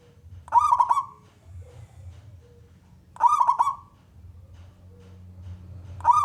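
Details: Male local zebra dove, a lively singer, calling to prompt other doves to sing. Short rolling cooed phrases of quick trilled notes repeat about every two and a half seconds over a low background hum.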